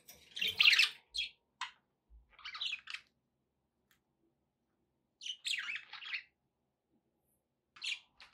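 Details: Budgies kept as pets give scattered short chirps and chattering bursts, grouped in clusters separated by quiet gaps of about two seconds.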